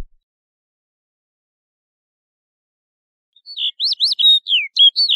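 A snow bunting gives a quick, bright warbling phrase of high chirps and short slurred notes, starting after three seconds of silence.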